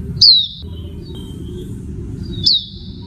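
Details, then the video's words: Female Oriental white-eye giving two thin, high, downslurred chirps about two seconds apart, each brief and sharp, over a low rumbling background. "SUARA PLECI BETINA"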